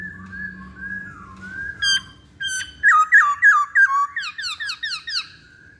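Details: Masked laughingthrush, known locally as poksay Hongkong, in a lure recording. A faint steady whistle leads into a rapid run of loud, down-slurred whistled notes, about three per second, that grow stronger and then taper off.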